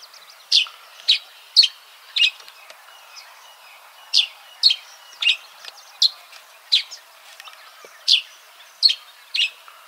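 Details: Yellow-throated sparrow calling in a steady series of short, bright, high-pitched chirps, roughly two per second with brief pauses, over faint outdoor background noise.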